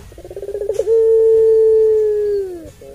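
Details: Long-call puter pelung dove used as a provoking tutor for other doves: a quick run of pulsed bubbling notes opens into one sustained, even coo lasting nearly two seconds that sags downward at the end.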